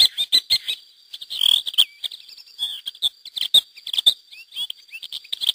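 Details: Wild lesser grey shrikes with chicks, released through hacking in 2009 in a protected area of Lleida, Spain; harsh squeaky chatter and short rising and falling whistled notes, coming in uneven clusters.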